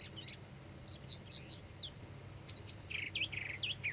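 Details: Northern mockingbird singing: scattered thin chirps at first, then a louder run of quick looping whistled notes repeated in short succession toward the end, over faint low background noise.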